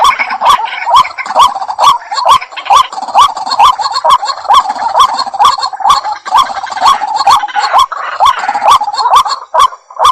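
A White-breasted Waterhen gives harsh, croaking notes in fast, monotonous repetition, about two per second, with sharp regular clicks running through the background.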